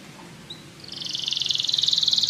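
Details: Canary with a brief soft note followed by a fast, steady, rattling trill that gradually grows louder over about a second and a half.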